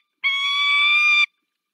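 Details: Single drawn-out, even, nasal wail of about one second from a female peregrine falcon calling her mate in Poland's Dolina Baryczy, 18 March 2024; steady and harmonic-rich with a clean start and stop.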